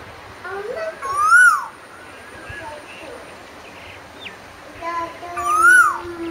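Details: Asian koel giving two swelling, upward-sweeping whistles four seconds apart, with scattered faint chirps and a low steady tone in the background.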